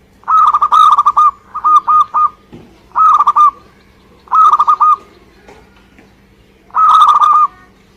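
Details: Local Indonesian zebra dove song: soft mellow cooing phrases of four to five quick rolling notes, each burst under a second, repeated about every second with short pauses; a faint steady low hum underneath.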